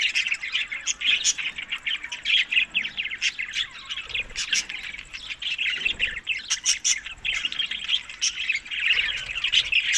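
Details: Budgerigars eating summer food in May to June keep up a dense, continuous warbling chatter of high chirps and short squawks, many birds calling over one another with brief loud bursts.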